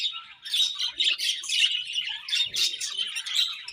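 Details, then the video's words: Budgerigars chirping in the morning, a steady stream of bright, rapid twitters and buzzy warbled notes coming in short pulses about once a second over a constant chatter. "Beautiful Budgies Morning Chirping Sounds"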